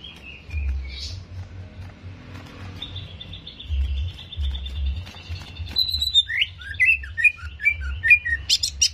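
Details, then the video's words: Greater green leafbird song meant to provoke aggression: a long thin sustained whistle leads into lively, jerky chirping phrases with sharp rising and falling notes, over a low hum. "HIPPER JAMTROK SEKETIKA !! PANCINGAN CEPAT MENAIKAN EMOSI CUCAK IJO"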